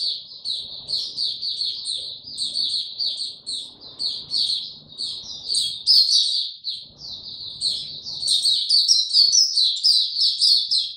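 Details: Sustained white-eye song dated 29 April 2022, bird given no supplements: an eleven-second stream of quick high chirps and trills, growing louder and busier toward the end, with soft low background rumble.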